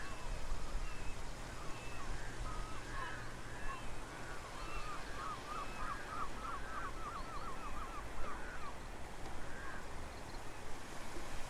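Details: Eurasian coot on Kazakhstan waters giving a quick run of about a dozen short, sharp, mid-pitched notes after scattered single calls, over a steady low rumble of wind.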